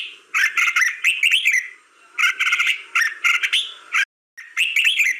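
Red-whiskered bulbul singing short, bubbly phrases of quick warbled and slurred notes, four bursts in five seconds, over a faint steady background hum.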